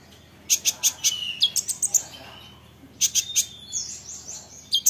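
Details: Olive-backed sunbird song used to make other sunbirds answer: a run of five sharp high chips, a brief slurred phrase, a pause, then more chips and a thin twitter.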